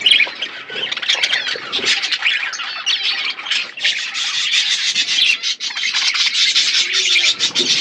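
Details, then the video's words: Pet budgerigars feeding on seeds in an outdoor aviary: loud, continuous scratchy squawks and warbles from a crowd of birds, growing denser toward the end. "My beautiful budgies eating seeds in my natural outdoor aviary"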